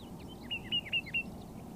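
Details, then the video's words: Layard's warbler pair, also called tit-babblers, singing softly to each other while foraging in bushes on a dry Karoo farm near Hanover, Northern Cape; a short run of four clear, high, slurred notes in quick succession over faint background noise. "A pair of Layard's Warblers foraging and singing softly to each other"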